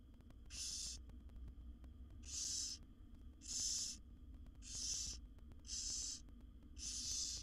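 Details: Wild barn owl young, seven in one nest box, beg while being fed by the mother: six steady, hissing snore calls spaced roughly a second apart, each short and rasping, over a faint low hum.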